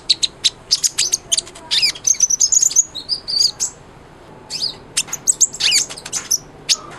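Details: Sunbird known as kolibri ninja, singing busily as tutor material for white-rumped shama: fast stream of high thin chirps and squeaky twitters, brief pause, then another rapid twittering burst.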